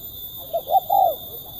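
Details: Spotted dove calling in the sharp, crisp kuk 1 style: one phrase of a soft short note, a rising note, then a longer drawn-out falling coo.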